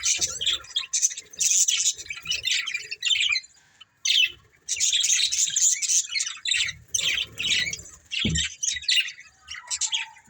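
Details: Breeding budgerigars chirping in clustered bursts of high, scratchy warbling chatter, with brief silences around four seconds and a single low thud near the end.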